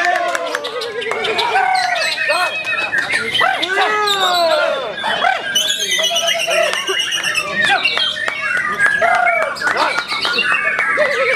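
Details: Varied, loud white-rumped shama song of arched whistles, wavering trills, a rapid high rattling burst midway, and sliding low notes, phrases following one another without break.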